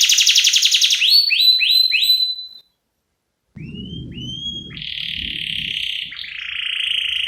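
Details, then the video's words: Canary song for a lure recording: a fast high trill and short rising whistles, a brief silence, then sustained high whistled tones over low background rumble. "Pancingan dan masteran burung kenari gacor cengkok isian"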